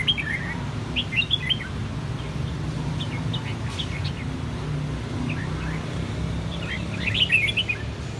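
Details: Red-whiskered bulbuls, three birds of the same brood with white cheeks turning red in one season, kept birds, song in a clear bell-like style; bursts of short whistled notes and quick warbles around 1 and 7 seconds, with a steady low rumble beneath.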